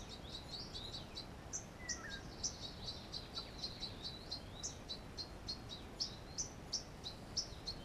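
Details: Song thrush at its nest in the wild, the nest set in a pit, recorded 10 June 2015: thin high chirps repeated several times a second over steady background hiss.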